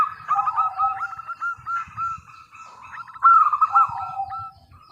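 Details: Local zebra dove with a clear, ringing voice used as a lure for wild doves: fast rolling cooing phrases of short beaded notes, with softer lower purrs and faint low background sounds.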